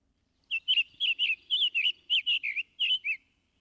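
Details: Summer Tanager, a red summer visitor from the tropics heard in woods in summer, singing its robin-like song: a quick run of burry phrases, about a dozen short slurred notes in pairs, rising and falling around a mid-high pitch.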